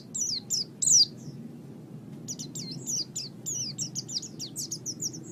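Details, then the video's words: Oriental white-eye singing for a pet-bird training recording: a few loud, high descending chirps, a brief pause, then a quicker stream of thin twittering notes that keeps going to the end. "Suara Burung Pleci"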